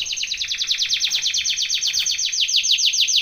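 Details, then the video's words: Canary training song: a fast, unbroken trill of high, downward-sweeping notes repeated about ten times per second, steady in pace and loudness across the whole stretch, with a quiet background. "BEST canary singing / CANTO CANARIO CANTANDO FOR TRAINING / CANARY TRAINING SONG"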